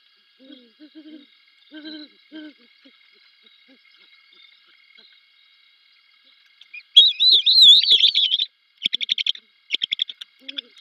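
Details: A mating pair of Great Horned Owls on a branch over a fairway at 3:55 am on 7 December 2021: soft, low hoots as the female and male call back and forth, then a loud, high, warbling squeal and a run of shrill, stuttering bursts as they mate; a faint electronic whine throughout.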